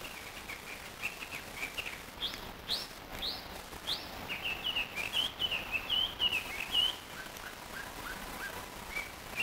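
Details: Hwamei practising its song, recorded 30 June 2015 in Chofu, Japan: soft short whistles, then a series of loud rising slurred whistles, a fluid warbled run and quieter trailing notes, over steady background noise.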